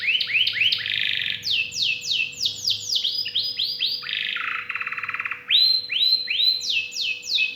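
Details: Canary song, a richly varied performance: repeated downward-sweeping whistled notes in quick series, shifting between phrases, with a buzzy trilled rattle midway and a steady faint low hum underneath.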